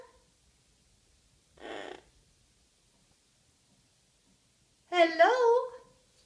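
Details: Chewy, a pet Yellow-headed Amazon in Prior Lake, Minnesota, gives a breathy hiss, then a high, voice-like two-part "hello" that rises and falls, greeting its owner in a quiet room.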